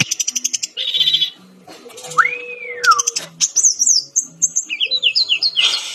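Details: Brown-chested jungle flycatcher singing actively: quick ticking notes, a buzzy burst, a long smooth whistle arching up then sliding down, followed by high rippling twitters and a fast descending series of chirps.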